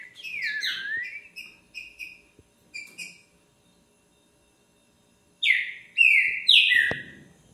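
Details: A Green-winged Saltator sings on 20 February at 1:10 in the afternoon, giving loud, rich whistles: a slurred falling phrase and short repeated notes, a pause, then three strong descending whistles. A faint click is heard.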